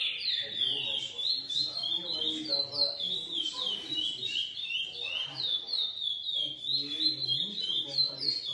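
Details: Captive-bred lesser seed finch of GP x Coimbra lineage singing a continuous, fast stream of clear whistled notes, sliding up and down and repeated several times a second, with faint low voices in the background.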